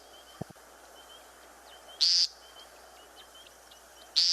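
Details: American Woodcock on the ground gives its peent display call, two short, nasal, buzzy peents about two seconds apart, over faint high insect or frog trills; it calls in spring from open short-grass areas between high flight displays.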